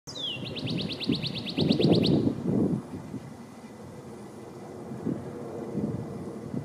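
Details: Male northern cardinal singing while eating in a backyard in 2020: a sharp downslurred whistle, then a fast even series of about a dozen short clear notes over roughly a second and a half, against low rumbling traffic-like noise.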